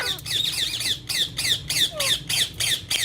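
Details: Green ringneck talking parrot kept as a pet repeats a shrill, high chattering note about three times a second, steady and rhythmic for three seconds.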